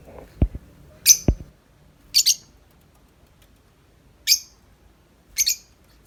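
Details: Tame lovebird, uncaged, in continuous 'ngetik' chatter: high, buzzy, clipped chirps in pairs and singles with gaps of about a second. Two low thumps come early on.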